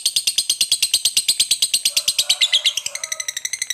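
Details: Long chattering ngekek of a lovebird used as a singing prompt: fast, regular, piercing pulses, about eight each second, with a faint softer warble underneath midway and a slightly quicker, thinner rattle at the end.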